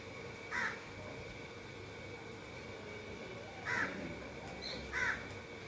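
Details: A happy Indian ringneck parakeet chirping as it eats: three brief, hoarse, squawky notes, the first alone and the last two a little over a second apart, separated by quiet stretches with a low constant hum behind.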